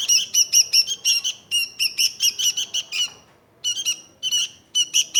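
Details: Sooty-headed bulbul in song. A rapid string of scratchy, chirping notes runs for about three seconds, then pauses, then resumes in shorter bursts.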